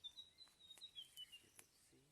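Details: A White-browed Fantail calls in the morning during a safari drive in Sri Lanka, with the engine off, giving a faint run of thin, high whistled notes stepping gently downward, with soft ticks and quiet hiss.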